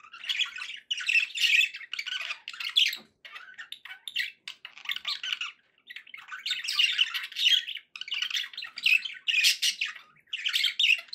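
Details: Pet budgerigars keep up an eleven-second stream of gritty chatter and squeaky warbles in clustered bursts, with only tiny pauses between phrases.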